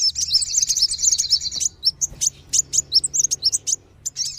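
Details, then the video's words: High buzzy trilling from kolibri wulung and sogon sunbirds, used to lure wild birds down, changing into separate sharp chirps and short whistles repeated several times each second. "SUARA PIKAT BURUNG KOLIBRI WULUNG DAN SOGON"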